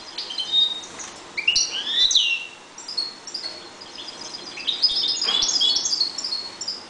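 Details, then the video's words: Goldfinch pair raising young in a 1.20 m cage, calm; high tinkling twitters mixed with upslurred whistles and buzzy notes, a steady run of song with slight dips. "jilgueros criando"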